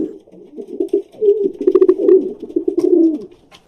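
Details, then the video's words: An urban pigeon gives a low, throaty, rolling gur-bur coo, a burbling run of soft notes lasting about three seconds, in a small indoor space; such pigeons often call near air conditioners, rooftops and towers. "இது புறாவோட சத்தம்."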